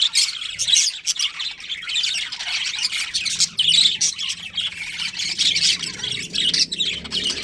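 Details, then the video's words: Budgerigars, a breeding pair kept in a colony, chirping: dense overlapping high chatter and squawky warbles from many birds at once, continuous with no pauses. "Cute Budgies Chirping Sounds"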